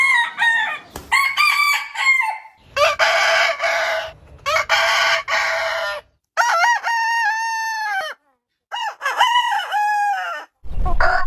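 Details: Several rooster crows follow closely, some harsh and noisy, others clear and tonal with a wavering, slightly falling held note, separated by short silences.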